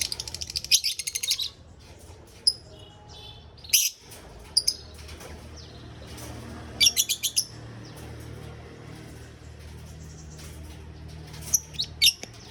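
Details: Lovebird in a mini aviary with bursts of rapid, high chattering and scattered squeaky chirps separated by quieter stretches.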